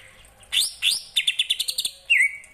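Greater green leafbird singing: two high upslurred notes, then a quick run of about nine clipped chips and a falling whistled note.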